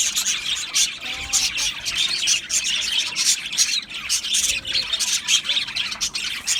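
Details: Australian budgies chirping and squawking in a crowded, high-pitched chorus, notes packed in rapid bursts with short gliding whistles.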